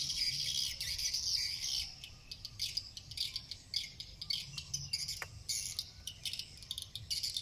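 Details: Swiftlets flying over the roof of an eleven-month-old bird's-nest house in Cambodia twitter in dense, high, buzzy overlapping waves of chirps, with a faint low hum underneath.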